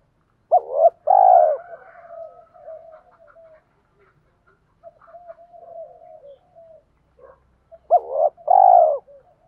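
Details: Spotted dove coo used to stimulate cooing, male and female voices: a loud burst of short and drawn coos at start and end, with soft low murmuring between.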